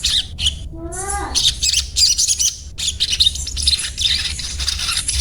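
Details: Crimson sunbird (sogon) in daily 'cuet cuet' chatter: dense, high, buzzy twittering runs with short breaks, and a brief lower descending harmonic whistle near the start.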